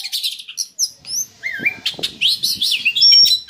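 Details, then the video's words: Oriental magpie-robin in captivity singing to boost breeding drive: high whistled slides and wavering notes, a clear swooping phrase mid-way, then busy chirps and a sustained high whistle near the end. "Suara pancingan kacer agar birahi naik"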